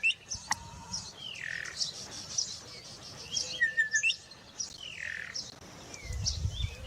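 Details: A Bokmakierie in the Karoo gives several loud, mellow whistled notes that slide downward, spaced a second or two apart, over constant high, thin chirping from other small birds.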